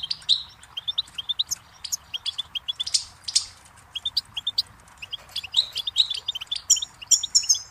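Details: Goldfinch with a long, rambling twittered song of high chirps, short trills and a few buzzy, ringing notes. The notes come in uneven clusters with brief pauses between them.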